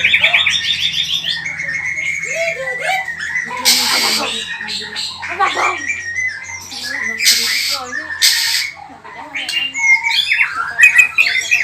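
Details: White-rumped shama singing a varied, energetic mix of whistles, harsh squawky bursts, rattles and quick slurred phrases, changing pattern every second or two, loud throughout.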